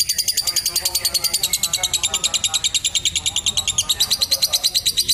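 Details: A lovebird pours out a long, unbroken ngekek chattering trill of rapid, high, harsh pulses, several each second, steady from start to finish; a long-trill recording meant for training young birds and song tutoring.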